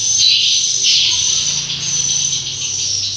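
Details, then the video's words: Dense, unbroken chorus of many swiftlets inside a dark two-storey swiftlet house, high thin buzzy chirps blurring into a continuous shimmer over a faint low hum; the birds feed on small flies. "ini rame banget suaranya burung walet"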